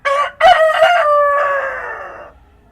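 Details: Dawn crowing from a real rooster in the countryside: a sharp opening note, a short gap, several rapid pulsed syllables, then a long fading, descending call, all loud and close over a quiet background.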